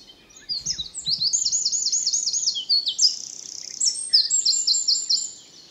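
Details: Northern wren of the nominate subspecies singing in Brussels, Belgium, in April 2020: a loud, high, rapid song of fast trills and sharp chattering notes, with a brief low sound near the start.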